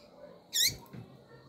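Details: Female double-collared seedeater calling to stimulate the male: a single brief, high, squeaky chirp with a rising then falling sweep, followed by silence and faint room noise.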